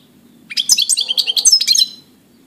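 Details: Sprightly European goldfinch song recorded 17 April 2018: a dense run of twittering, tinkling notes over about one and a half seconds, with a low droning hum underneath.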